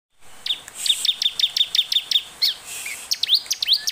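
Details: Bar-winged prinia (Prinia familiaris) song, used as a lure to prompt prinias to sing: a quick run of about ten sharp, high chipping notes, about four a second, then a jumble of squeaky twittering.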